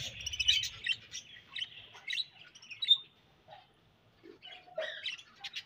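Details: Budgerigar sounds: soft, varied high chirps and short warbled notes come in irregular bursts, with brief quiet gaps and a few lower squeaky notes near the end.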